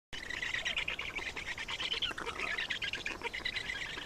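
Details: Black storks at a nest in Estonia during feeding, 27 May 2019: dense, raspy, buzzy chattering runs almost without pause through the whole stretch, rough and high-pitched.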